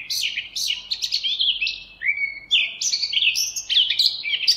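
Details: Eurasian blackcap singing energetically, a chattering start giving way to bright, rapid whistled phrases that jump between pitches.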